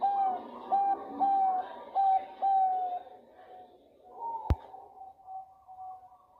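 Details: Female zebra dove of the Bangkok type calling to a male, vigorous calling: a run of five bright coo notes, the last drawn out, then a sharp click and a faint, thinner trailing coo over steady background hum.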